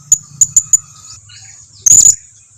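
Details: Blue-crowned hanging parrot call used as a lure so others respond: four high thin chips, a pause, then a brief buzzy high trill.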